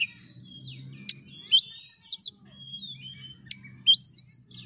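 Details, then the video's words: Oriental magpie-robin song used to provoke a lazy bird into singing: bursts of bright warbling, wavy whistled phrases with sharp clicks, separated by quieter pauses, over a soft background hum. "kacer gacor DOR pancingan kacer malas bunyi langsung ngamuk"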